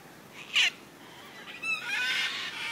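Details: Wild cockatoos in the Royal Botanical Gardens, Sydney, Australia: one short, sharp squawk, then after a pause a longer, rough, buzzy screech that holds steady to the end.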